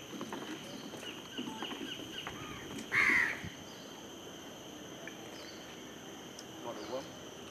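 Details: Chestnut-winged cuckoo at the main bridge of Sungei Buloh giving its usual loud call, one harsh, screechy, high note under half a second long, over faint hiss and distant murmuring. It was also seen catching a moth caterpillar.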